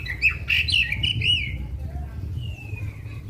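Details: Black-winged magpie-robin in a long singing burst meant to rouse other birds: a few loud slurred whistles and chirps, then a thin drawn-out whistle, over steady low background hum.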